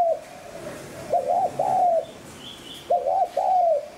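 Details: Lure call of a spotted dove for wild birds: two crisp phrases of short paired coos and a drawn-out falling note, with a faint high chirp from another bird in between.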